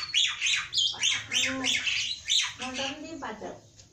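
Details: Black-winged myna (jalak putih) in full gacor song with isian phrases: loud, harsh, squawking notes, each swooping down and up, repeated about every half second.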